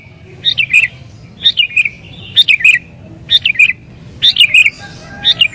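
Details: Agitated sooty-headed bulbul singing to provoke rivals and call in wild birds; bright, slurred phrases of three or four notes falling in pitch, spaced roughly a second apart.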